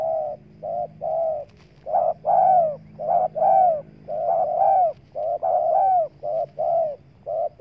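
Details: Spotted dove calling to lure wild doves: a rapid run of repeated coos, short clipped notes alternating with longer descending ones, nearly continuous for the whole stretch.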